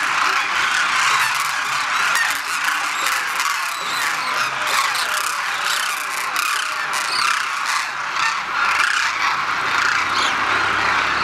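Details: A large wintering flock of Demoiselle cranes at a bird-feeding village, Khichan, Jodhpur district, Rajasthan, India, keeps up a dense, unbroken chorus of overlapping honking, croaking calls, steady throughout with no pauses.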